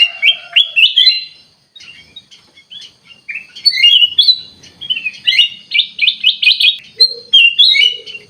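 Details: Bulbul singing energetically, a lively run of short whistled and warbled phrases, sharp chirps and quick rising notes, with a brief pause midway and a rapid repeated burst near the end; a lower soft note sounds faintly beneath.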